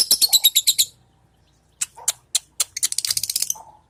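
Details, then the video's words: Lovebird practising its song while sunbathing in the hot midday sun: rapid bursts of sharp, high chirps, a quick run of about eight notes, then a pause and a denser buzzy chattering series. "LOVE BIRD BERJEMUR SAMBIL BERLATIH"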